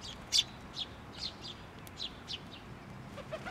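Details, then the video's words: Chick on a post at a Tenmangu shrine, 16 May 2023, calling while a parent comes back; one loud high chirp followed by softer, evenly spaced squeaky chirps about twice a second. "支柱の上で鳴いてた雛鳥 親鳥が戻って来た"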